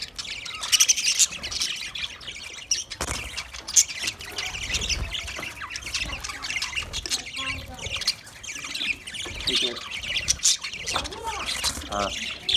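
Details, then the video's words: Budgerigars chirping as they eat: a long run of high twittering and squeaky warbles from many birds. Brief knocks and clatter break in, with some faint lower sounds near the end. "Birds eating food Budgies chirping sound"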